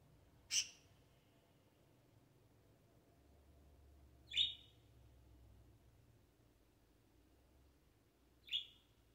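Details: A pet budgerigar gives short, bright, high chirps spaced about four seconds apart against a quiet background.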